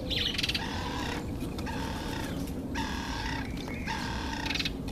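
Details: Red-billed wood hoopoe, known in Zulu as iNhlekabafazi, "laughing women": long, dense runs of harsh, rapid chattering cackles in blocks of about a second, separated by short pauses, over a low background hum.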